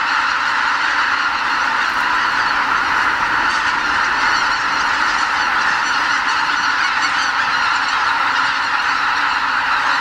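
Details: Greater white-fronted geese, a record 79,980 birds at Lake Miyajimanuma, a Ramsar wetland in Bibai, Hokkaido, Japan, leaving their roost before dawn on spring migration northward. A dense, unbroken wall of overlapping high honking calls holds steady throughout.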